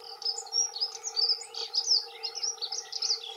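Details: Two male dunnocks singing their territorial song: continuous fast, twittering warble of bright high notes, rising and falling in quick bursts, with a steady hum in the background.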